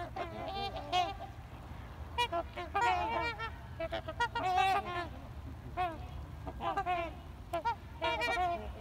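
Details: Several trumpeter swans in a noisy back-and-forth, giving rapid, brassy honks that bend up and down in pitch, overlapping in dense bursts with a constant low rumble in the background.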